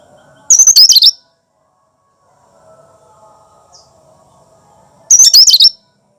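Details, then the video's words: Cucak kinoi natural song without mimicked phrases, used to prompt and lure other birds: two short bursts of rapid, high chattering notes about four seconds apart, over a low steady hum. "Suara asli cucak kinoi"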